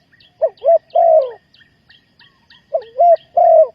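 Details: Decoy spotted dove coos to draw wild doves into a trap. Two three-note phrases of deep, rounded coos end on a long drawn note, with a gap between them filled by faint, rhythmic chirping from other birds.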